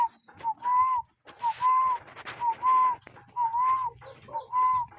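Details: Cuckoo bird calling in natural surroundings: clear, mellow two-note whistles, a short note then a drawn-out arched note, repeating about once per second over a low background hum and scattered clicks.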